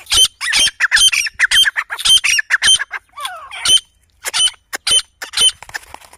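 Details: Grey francolin family in jungle giving loud, grating, squawking calls in rapid overlapping bursts, with a brief warbling, slurred phrase midway and short gaps near the end.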